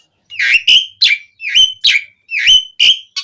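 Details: Asian pied starling song played as a lure to prompt captive birds to sing: a run of seven loud, harsh, downward-sweeping chattering notes, roughly three per second, each with a buzzy upper edge.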